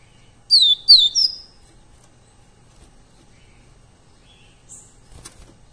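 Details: Double-collared seedeater song, a live recording used to train captive birds: three quick, loud, downslurred whistled notes in under a second, followed by near silence with a faint high note and a click.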